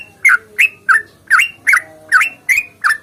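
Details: Yellow-vented bulbul delivering a fighting song meant to make other bulbuls sing; about eight rich, slurred chirps spaced evenly, each bending downward, over a faint steady background tone.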